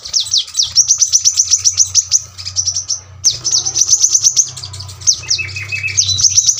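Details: Brown-throated sunbird pouring out rapid sharp 'tembakan rapat' notes, two long runs broken by a short pause, with a lower trilled phrase late on and steady low hum behind.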